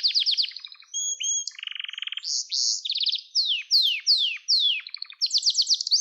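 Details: Song of a Gloster canary, played to encourage and train young canaries to sing: quick high trills, a buzzy low rattle, then repeated downward-sweeping whistles and a closing high rapid trill, in a quiet recording.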